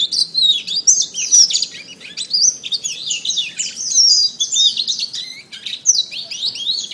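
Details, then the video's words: Domestic canary masteran song: nonstop high, rapid chirping and warbled trills with darting whistle slides, a lively, even flow of notes from start to finish. "Masteran Terbaik Kenari"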